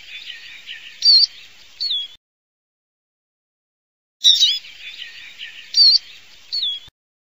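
Eurasian siskin sings two twittering, high-pitched phrases about two seconds long, with squeaky notes and a wheezy twist near the end, separated by silence.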